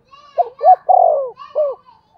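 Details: Spotted dove cooing, recorded as a lure to call in wild birds. One low phrase of short notes, a sustained throaty coo and a final falling note, with faint higher sounds around it.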